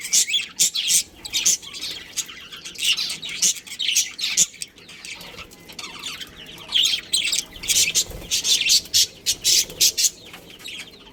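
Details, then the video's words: Chirping budgerigars in a colony with a breeding pair, a long run of quick high buzzy chirps and chatter, dense at the start and end, quieter in the middle. "Cute Budgies Chirping Sounds"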